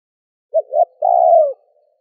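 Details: Spotted dove calling to draw in wild doves, in cooing, urging and calling styles: two short hooting notes, then one long, steady, mellow coo that slides down at its end. No other sounds.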